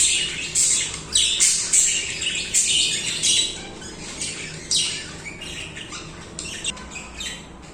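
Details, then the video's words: Continuous budgerigar singing made of rapid, scratchy chirps and warbles in repeated short bursts, loud at first and then settling into softer chatter. "Budgies singing/chirping"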